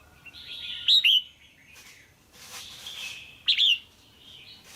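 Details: Caged female red-whiskered bulbul calling to stimulate a male or for pairing: two loud double chirps about two and a half seconds apart, with a noisy rustle between.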